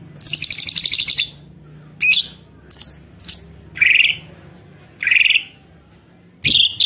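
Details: White-rumped shama song meant to provoke rival shamas to sing: an opening buzzy rattle, then scattered sharp chips and short rich whistled phrases.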